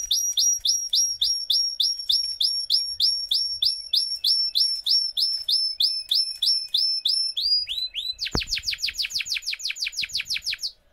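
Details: Russian canary, a breed kept for singing, in a tour of rapid, bright, downslurred notes repeated about three times a second, then a steady high whistle, a sharp click, and a faster buzzy trill series.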